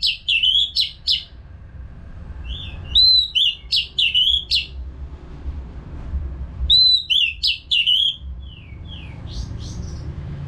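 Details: Orange-headed thrush, used as a training song for caged birds, delivers three loud phrases of rich whistles mixed with sharp high chips, each phrase lasting a couple of seconds with brief gaps, over faint background hum.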